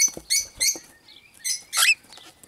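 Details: Cockatiels calling: short harsh chirps and rasping notes in separate bursts, with a soft rising whistle between them and a few light rustling sounds.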